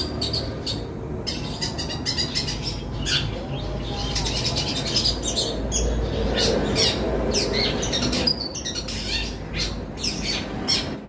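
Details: Cendet, a long-tailed shrike, delivering mimicked fighting-sparrow phrases: rapid bursts of shrill, high chirps and twittering squeaks, irregular and almost continuous, with a low background rumble throughout.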